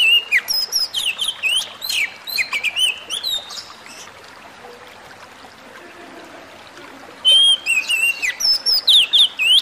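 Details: White-rumped shama song, played as therapy audio for a stressed bird: bursts of clear whistled notes, sliding and warbled, with a quiet gap midway and a steady hiss like running water underneath.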